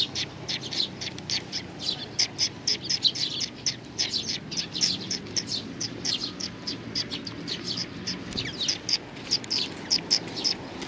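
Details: Eurasian tree sparrows, several birds, gather on a bench on 3 June 2020 to be fed; short high chirps pour out in a dense, uneven stream, many per second, over a low steady background rumble.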